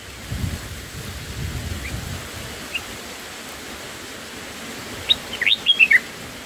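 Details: Black-headed bulbul chicks in the nest, on the first day of feeding by a parent, give a quick burst of about six sharp, high chirps near the end, after a few faint notes and a low rumble at the start.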